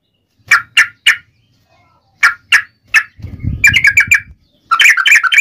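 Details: Yellow-vented bulbul in fighting mode: spaced harsh chattering notes in two sets of three, then quick bubbly runs over a low rumbling background noise.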